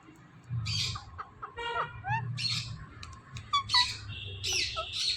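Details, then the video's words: Talking parrot called "Mithu": a jumble of harsh squawks, short whistled notes and chattering syllables over low room hum, with a person saying "Mittu" around it. "Talking Parrot Mithu Mithu"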